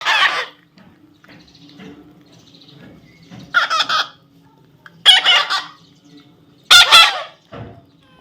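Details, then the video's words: Baby parrot being tamed, giving four harsh, raspy squawks spaced a second or two apart, each about half a second long, with quiet gaps between. "natural funny parrot sound"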